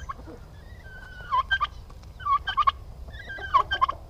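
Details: Male domestic turkeys kept together on a farm in Paraná, Brazil, described as aggressive: three bursts of rapid, rattling gobbles, each a quick stutter of notes, separated by quieter pauses with faint background noise.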